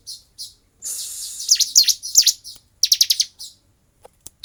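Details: Bar-winged prinia fighting song, kept-bird training recording. A harsh buzzy high note gives way to sharp chirps and a quick rattled series, then clicks.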